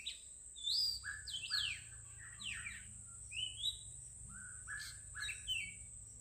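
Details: Songbird delivering quick, clear chirps and downward-sweeping whistled notes in short bursts, loudest near the start; a steady high hiss runs through the background.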